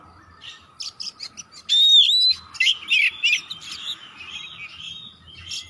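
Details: Vigorous Oriental magpie-robin song meant to prompt other magpie-robins to sing: soft chirps, then a loud long whistled note and a run of rich warbled phrases, over a steady low hum.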